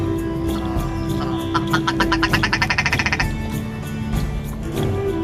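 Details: Several Willow ptarmigan (Lagopus lagopus) beside the road in the Savage River Valley, Denali National Park, Alaska, in cloud and rain in summer 2018, call with a quick, accelerating rattle of clipped notes under two seconds, over background music.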